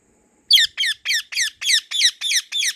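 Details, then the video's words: White ringneck parrot kept as a pet, calling in a garden: eight shrill, scratchy squawks in quick succession, the first one sharpest, spaced about a third of a second apart. "White Ringneck Parrot Natural Sounds | Parrot Natural Calls"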